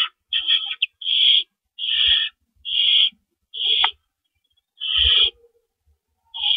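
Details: Night-time nest of owls on 4 April 2012, adults delivering and removing rabbits; longer, drawn-out rasping screeches come roughly once a second, seven in all, separated by brief silences and faint bumps.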